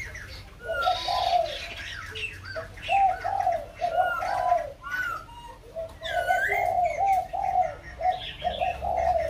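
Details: White-crested laughingthrush singing at Kbang: rapid runs of low, rounded hooting notes in bursts, several voices overlapping into a rolling chorus, with higher whistled and slurred notes from other birds above.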